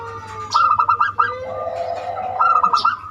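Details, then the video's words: Zebra dove of the banyumili type, used as a lure to draw other birds into singing: two bursts of rapid stuttering coo notes, with a lower drawn-out tone between them and faint background hiss. "Perkutut banyumili suara unik cocok untuk pancingan"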